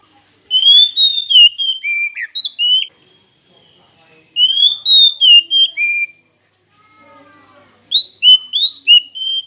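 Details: Oriental magpie-robin song used as a lure to provoke silent rival birds into singing: three bursts of loud, varied whistled phrases, sliding and warbling notes, separated by short pauses.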